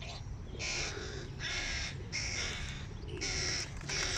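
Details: Hooded crow chicks screech hungrily at the sight of their father carrying food, five harsh, noisy bursts spaced under a second apart, steady low rumble beneath.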